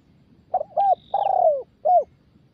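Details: Spotted dove, a newly caught young bird in daily training to coo in the 'đồng chuông' style: a short burst of low, mellow cooing notes, one long drawn-out middle coo falling at its end, then a single final coo, against quiet background.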